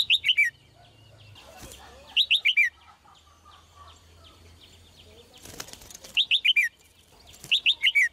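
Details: Red-whiskered bulbul, a female, repeating a crisp phrase of four or five sweet descending notes about every two seconds, with a soft rustling flutter midway.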